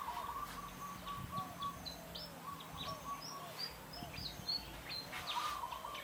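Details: Several forest birds near Phu Sing, Sisaket, Thailand, giving high thin whistled notes and short chirps over a steady low hum, with a lower repeated whistle running through.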